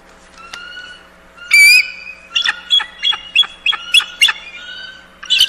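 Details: Bald eagle giving a piercing squealing note, then a rapid, evenly spaced series of sharp, high chittering notes, about eight in a row, over a quiet background.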